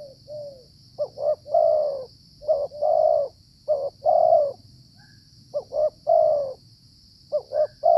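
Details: Wild Spotted Dove (tekukur), cooing during decoy trapping in the cold, rainy flood season, likely the dominant male of its area: about five phrases of two quick rising notes, a long mellow coo, then a soft falling tail, over a steady high hiss.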